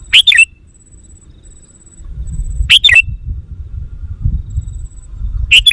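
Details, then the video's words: Lure call of a sooty-headed bulbul for attracting wild birds: three bursts of quick, piercing chirps with a slurred ending, repeating every two to three seconds, faint high tone and low rumble behind. "Suara Burung Kutilang Pikat GACOR Sekali Putaran Kutilang Liar Auto Emosi!"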